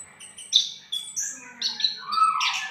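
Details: Orange-headed thrush (punglor merah) in ngriwik style, a hashtagged master songbird singing gacor: high thin whistles and rising, shifting notes, then bursts of buzzy twittering over a faint low hum.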